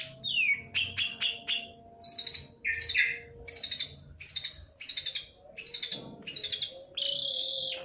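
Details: Long-tailed shrike song used as a lure to spur silent shrikes into singing: a descending whistled slide, then a string of short buzzy, stuttering bursts repeated about once a second, ending in a longer harsh note.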